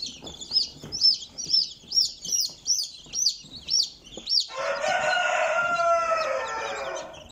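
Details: Barred Plymouth Rock chickens, sharp high chirping notes repeated about twice a second for four seconds, then a loud broad harsh rasping sound filling the rest.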